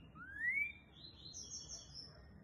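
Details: Green-winged saltator (trinca-ferro) singing in the fast boiadeiro style: a clear whistled note sweeping upward, then a brief run of higher, thinner warbled notes fading out over a faint background hiss.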